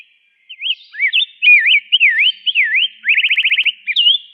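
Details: Rose-breasted grosbeak singing a sweet, rich warbled phrase of looping whistled notes, each slurring up and down, ending in a fast rolled trill and a final short slur, with a slight echo and no other sounds.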